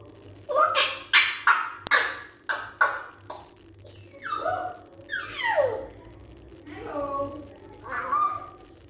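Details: Pet African grey parrot talking indoors, giving a run of short clipped syllables, then sweeping whistled and nasal phrases that glide down in pitch, with a sharp click partway through.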